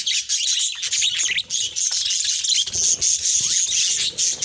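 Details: Budgerigars bred in a range of colour mutations give a dense, unbroken warbling chatter of many birds together: high twittering, squeaky chirps and short rasping notes that overlap constantly.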